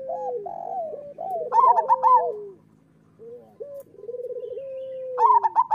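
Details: Local zebra doves singing steadily, a master song for doves quiet after moulting: looping hoots, a loud bubbly trilled phrase, a brief pause, then purring rolls leading into another loud trilled burst at the end.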